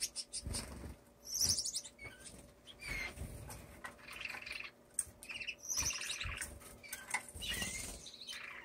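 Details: A male owl finch in a cage rehearses his mating dance on the floor, perches and feeding dish, giving thin, high buzzy phrases in scattered bursts over a faint steady hum and occasional taps.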